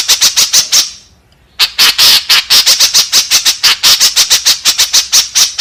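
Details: White-breasted woodswallow calling to lure others: a burst of fast, scratchy notes, a roughly half-second silence, then a long, steady stream of harsh, buzzy squawks.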